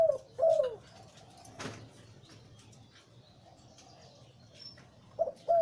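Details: Liu Tan style breeding male zebra dove with a big, deep voice: a rolling coo phrase opens, a quiet gap follows with a brief knock, then two more bubbling coos close.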